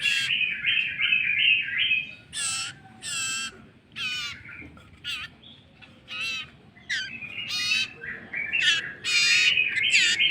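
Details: Common iora chick, hand-fed by a person, giving harsh, buzzy begging bursts rising and falling in rapid irregular runs, about one and a half a second, with a continuous raspy chatter between louder outbursts.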